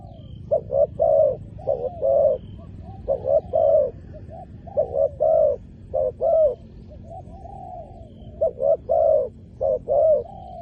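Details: Decoy spotted dove luring wild doves to the ground, cooing in a continuous run of phrases: short clipped coos, then a fuller drawn-out coo, some ending in a softer slurred tail. Faint high chirps from other birds.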